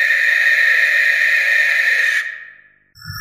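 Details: One sustained, harsh, hissy scream from a barn owl of a little over two seconds, trailing off, before another sound begins.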